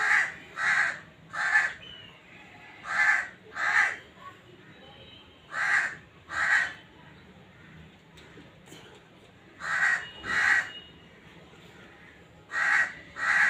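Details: Calling black francolin (kala teetar) giving its breeding call: grating, harsh notes in tight phrases of two or three, each phrase repeated about every three seconds with quiet gaps between, over low steady background noise.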